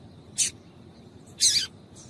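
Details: Two harsh, buzzy high notes a second apart from a female yellow-bellied seedeater calling to get males singing, the second note longer and rougher.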